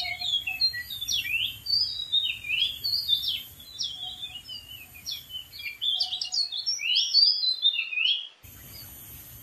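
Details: Wild Oriental magpie-robin singing from a dead tree: a long fluent medley of quick whistles, slurred upsweeps and chattering notes, loud and varied throughout, ending abruptly before quiet background hiss returns.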